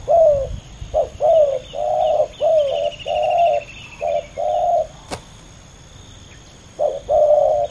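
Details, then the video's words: Two male spotted doves compete fiercely in a ground match. A rapid run of short and long low coos is broken by a sharp click and a pause of about two seconds. The cooing then resumes. "ต่อดินนกเขาใหญ่ ดุเดือดคู่นี้!!"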